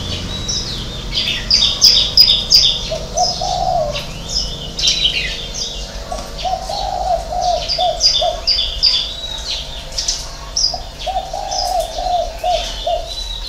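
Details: Spotted dove, six-note 'hậu 3' cooing: three low, mellow phrases of repeated notes spread over thirteen seconds, with busy high chirps and whistles of other birds throughout.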